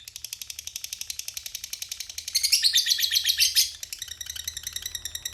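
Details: Long chattering ngekek of a lovebird singing strongly: rapid ticking, high-pitched rasping pulses in steady rhythm, swelling louder and denser for about a second in the middle before returning to the even chatter.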